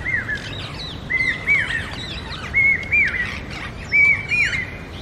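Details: Common hawk-cuckoo, or brain fever bird, giving its loud call in the forest. Piercing, whistled notes rise sharply and come in pairs or triplets about every second and a half, while other birds chirp faintly behind.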